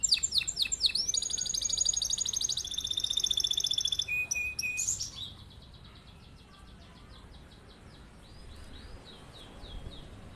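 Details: Canary giving a long rolling song meant as a master to make other birds sing along: a fast, steady, silvery trill held for about four seconds, then a short buzzy phrase and much quieter soft twittering afterwards.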